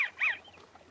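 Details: American Wigeon giving its soft wheezy call, which does not carry far: two quick wheezy whistled notes, the second rising then falling, high-pitched, with a fainter trailing whistle after.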